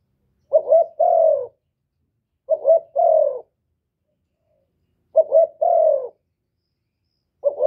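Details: Vietnamese spotted dove from Cà Mau cooing to spur rival birds; regular phrases about every 2.5 seconds, each two quick rising coos followed by a longer, smooth, slightly descending coo, with nothing else audible.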